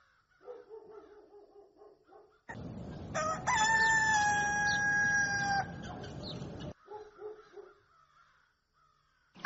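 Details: Rooster at dawn: quiet clucking notes, then a loud sustained crow with clear steady harmonics over a rough, noisy background, followed by more soft clucks.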